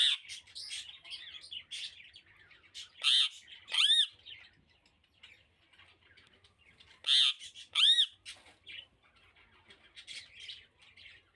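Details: A pet rose-ringed parakeet, recorded January 11, 2024, gives two bursts of loud, harsh squawks with rising and falling whistled notes about four seconds apart, between softer chattering talking mimicry.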